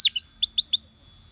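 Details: Short canary song fragment meant to prompt other canaries to sing: one sharp downstroke, a long rising whistle, then three quick rising slurred notes.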